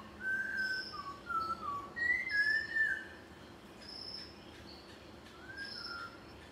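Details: A Malabar whistling thrush at Munnar in Kerala's Western Ghats gives a run of clear, slurred, human-like whistles that rise and fall, then a softer phrase after a pause, over faint high chirps from other birds.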